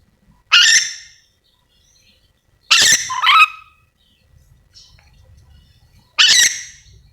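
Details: Yellow-and-green lorikeet, a hooked-bill parrot endemic to Sulawesi, calling with loud harsh screeches, including a doubled screech, a couple of seconds apart, with faint low rumble between.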